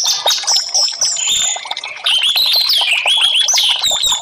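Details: Orange-headed thrush song meant to make stalled birds respond: a fast, irregular stream of whistles and chirps, some phrases sweeping downward, with a brief softer break near two seconds.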